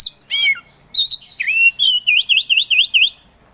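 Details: Kacer poci Oriental magpie-robin in full song: a few varied whistles, then a rapid series of six clear, similar V-shaped whistled notes repeated about five times per second.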